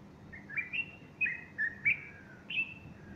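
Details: A bulbul sings on a Sunday morning, 30 August 2015, beside a fluffed-up female; about six sweet whistled notes, some swooping down, others rising, spaced roughly every half second.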